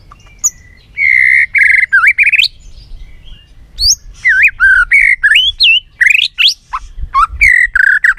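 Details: White-rumped shama singing many voices for training: loud looping whistles and twisting slurs, tumbling phrases of rapid varied notes with short pauses, lively and continuous.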